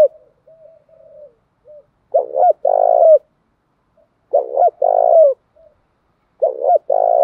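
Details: Male and female spotted doves calling to spur cooing in kept birds; faint soft murmurs, then three loud low coo phrases roughly every two seconds, each a quick doubled note followed by a longer vibrating coo that falls at the end.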